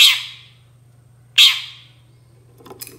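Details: Long-tailed shrike calling to draw replies from other shrikes: two coarse, scratchy bursts roughly 1.4 seconds apart, followed by a few fainter scraping sounds near the end, with a constant low hum beneath.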